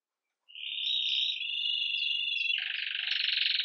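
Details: Agate red mosaic Belgian canary opening its day with lively Campainha song, recorded live: a sustained bright trill swelling up, then shifting abruptly into a loud, coarse, rapidly pulsed roll.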